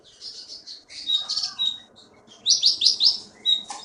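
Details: Keety (konin) from the Bangka forest, Indonesia, caged contest bird, gives buzzy high notes and a thin whistle, then a fast burst of four loud downslurred notes.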